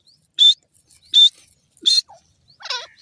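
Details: Grey francolin, called dakhni or gora teetar, calling: three loud, shrill, clipped notes repeated about every three quarters of a second, followed by a softer, scratchy, warbled phrase.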